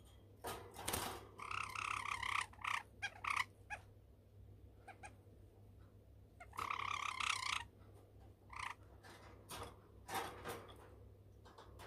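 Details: A pet white Java sparrow, recorded on 5 August 2019, gives two bursts of rapid, bright chattering notes, with scattered sharp clicks and taps and a steady low electrical hum underneath.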